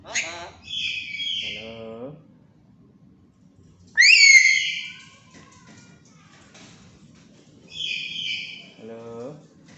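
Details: Tame black-capped lory, chatty and able to talk. Three loud, rasping high-pitched squawks, the middle one sharpest, are spaced by lower, humanlike words and quiet pauses.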